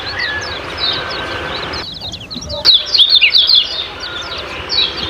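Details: Kecial kuning ciak-ciak lure recording for caged birds: scattered high, thin chirps and twitters over a rough background hiss, rising into a busier burst of quick chirping near the middle.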